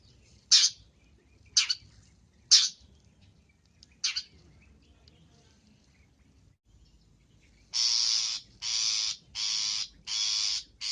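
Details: Long-tailed shrike in full filler-rich song: four sharp high notes at uneven spacing, a pause, then a run of harsh, buzzy, rasping bursts about half a second each.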